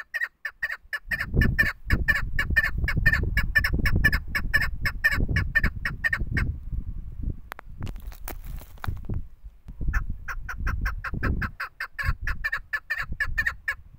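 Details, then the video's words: A female chukar gives rapid runs of harsh, clucking chuk notes, about two per second, pausing midway, with low rumbling wind or handling noise throughout. "madi dasi chakor bird female shikari chakor keklik sesi awaz sound voice singing"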